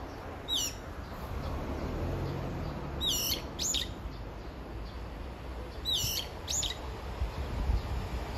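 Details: Brown-eared bulbul calling for its mate. Loud, squealing calls sweep steeply downward. They come in short bursts of two or three, roughly every three seconds, over a low steady background rumble.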